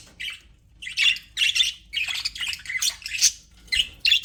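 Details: Happy budgerigars chirping, from an aviary recording: dense bursts of scratchy, buzzy chirps and squawks, each lasting a fraction of a second, come in quick irregular clusters with brief pauses between them.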